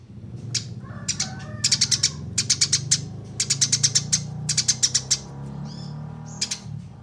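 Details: Fighting Eurasian tree sparrows, a few scattered chirps building into steady runs of sharp bright notes, ending with sparse single calls, over a constant low hum.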